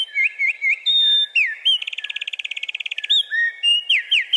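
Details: Territorial song of a male wren, loud for so small a bird: quick high chirps and whistles, a sustained rapid rattling trill, then a run of ringing downslurred repeated notes, all delivered energetically without pause.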